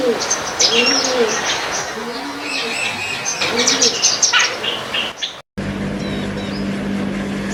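White-eared Bulbul giving bright, bubbly chirps and short warbled phrases amid a busy backdrop of other birds; a soft cooing dove is heard beneath, and a low hum after a brief cut.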